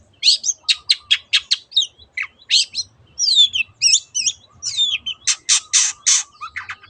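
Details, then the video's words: Long-tailed shrike in 'teot teot' style as a lure for other birds: quick rhythmic harsh notes, then twisting whistled phrases, ending with loud rasping bursts repeated in quick succession over a faint steady tone. "SUARA BURUNG CENDET TEOT TEOT pancingan AGAR BURUNG MANAPUN IKUT GACOR"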